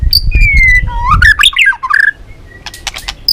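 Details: White-rumped shama of the Balak 6 type, recorded as a lure for catching birds: a long, slowly falling whistle, then a quick run of rising and dipping slurred notes, ending with short sharp chips and a low rumble beneath.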